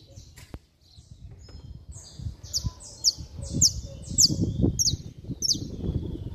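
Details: Saffron finch (canário-da-terra) singing hard in the 'estralando' manner: a few soft notes give way to a strong series of sharp, high, falling chips, roughly twice per second, over low rumbling background noise.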